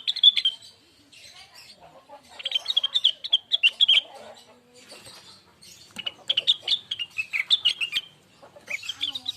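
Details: Lesser green leafbird song played as a lure for other birds: four bursts of rapid, high twittering and squeaky chirps, some notes sliding downward, with soft, lower warbling in the gaps.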